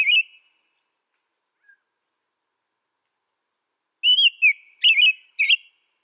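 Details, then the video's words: American robin: one whistled note, a long silence, then four quick warbled whistles in a row, bright and clear with nothing else audible. "American Robin Bird Song Sound"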